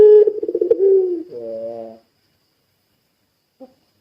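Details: Puter pelung Barbary dove in vigorous voice, a call meant to trigger other doves: a pulsing, wavering coo sinks into a lower, reedy note about two seconds long, followed by silence and one faint short note.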